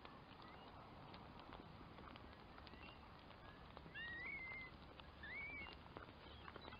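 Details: Two rising, slightly wavering whistles from a curlew, about a second apart, after a stretch of quiet background with faint clicks and distant murmur.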